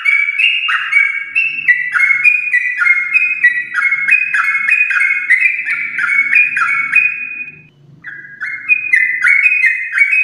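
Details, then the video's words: Yellow-vented bulbul, champion stock, in long 'ropel' song meant to prompt pet bulbuls: rapid overlapping slurred whistles, a short gap near eight seconds, then the chatter resumes; faint low murmuring underneath. "Trucukan gacor ropel panjang TRAH JUARA untuk pancingan trucuk rumahan"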